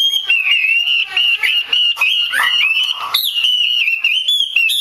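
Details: Female Chinese hwamei whose calls are played to stimulate males to sing. A loud, nearly continuous warbling whistle wavers around one pitch with quick trills and a sharp upward-jumping slur midway.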